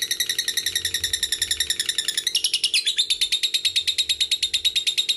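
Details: Lovebird producing the long ngekek trill, used to coax young, fighter and female birds into singing: rapid scratchy repeated notes, changing tone briefly around the middle and then continuing as an even chatter, with a faint hum in the background.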